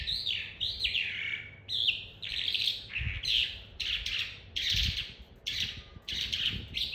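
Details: Young captive calandra lark learning its rolling song: bursts of dense, scratchy, buzzy phrases alternating with sliding whistled notes, repeated in uneven bouts with brief pauses, and soft thumps in the background.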